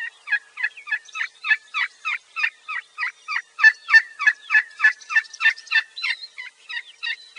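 Wild turkey assembly call: a long, steady run of raspy, mid-pitched yelps, about three each second, with no pause and nothing else heard.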